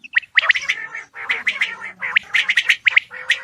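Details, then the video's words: Male Coturnix quail calling: harsh, gargled bursts repeated in quick irregular runs, each a buzzy rasping note with a sharper whistled peak, separated by brief pauses. "Male Coturnix Quail Calls / Sound"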